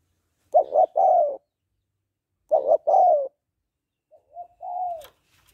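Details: Female spotted dove calling to excite a male: two throaty three-note coos two seconds apart, then a softer, smoother drawn-out falling coo.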